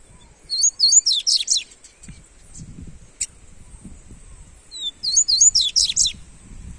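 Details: Double-collared seedeater (coleiro) song played to warm up a kept seedeater: two quick bursts of high, sweet slurred whistles and trills, about a second each, separated by a pause with faint low background rumble.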